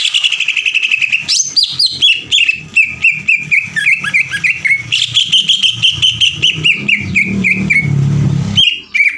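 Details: Greater green leafbird's long sewing-machine 'ngekek' chatter, used to stir other leafbirds into singing: high whistled opening, then a long run of crisp repeated notes falling gently, restarting higher, with a low rumble near the end.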